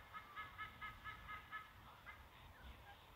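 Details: White-bellied sea eagle chick begging from its mother at the nest, caught by a live nest camera on 5 August 2022; a quick run of about nine sharp, harmonic yelping notes, roughly two per second, then fainter calls over steady hiss.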